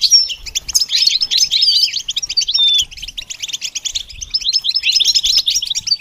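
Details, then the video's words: Goldfinch singing, a bird said to sing in spring and summer from tall trees: a rapid, continuous twittering of high tinkling notes, buzzy trills and short whistles, varied and unbroken for the whole stretch. "The basics of training the goldfinch to sing"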